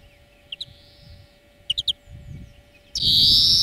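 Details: European greenfinch song for training cage birds: separate high chirps and a quick three-note burst, then a loud buzzing wheeze begins, with some low background rumble.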